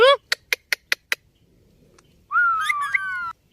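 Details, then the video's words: Indian ringneck talking parrot: a short rising call, five crisp clicks at steady intervals, then a sustained, level whistled tone with small pitch bumps lasting about a second. "Amazing Ringneck Talking Parrot"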